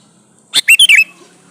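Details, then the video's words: One quick, loud phrase from a male sooty-headed bulbul calling to a female: a sharp opening note followed by three fluty, bouncing notes in under half a second. "suara burung kutilang jantan memanggil betina"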